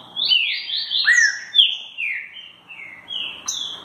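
A green-winged saltator sings loud, rich whistled phrases of slurred notes that rise and fall, delivered in a quick run with almost no other sound.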